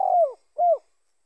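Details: Spotted dove (tekukur) call recorded in Indonesia for luring other spotted doves in bird trapping: two low, hollow coos, the first longer and slightly falling, the second shorter after a half-second pause, with no other sounds.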